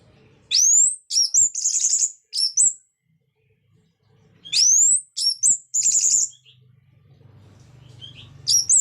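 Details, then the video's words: Orange-headed thrush song in the ngeplong style, played to stimulate silent birds to sing: the same phrase comes twice, a steep rising whistle followed by quick clipped notes and a buzzy trill, with a low hum near the end. "Pancingan Burung Anis merah Agar Cpt Ngeplong Gacor bunyi"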